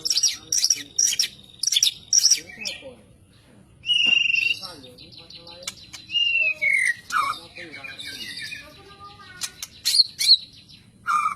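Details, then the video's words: White-rumped shama song mixing quick high chirps with longer whistled, downslurred phrases and varied notes, delivered in bursts separated by short pauses, with faint voices behind. "Kicau burung murai batu super"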